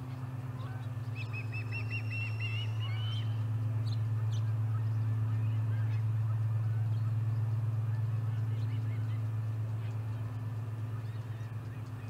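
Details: Osprey at the Charlo nest on 30 July 2020, third fish brought in that day: a quick run of about eight shrill, slightly rising chirps over two seconds, then near quiet apart from a persistent low hum.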